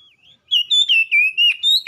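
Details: Oriental magpie-robin, a kacer used as a training aid to make others sing hard; clear whistled notes in a quick string of six or seven phrases, gently rising and falling, ending on a sharp upward note.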